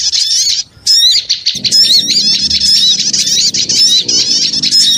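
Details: High, busy chirping of small birds used as a lure after a short pause near the start, with rapid wavering trills over a low steady hum.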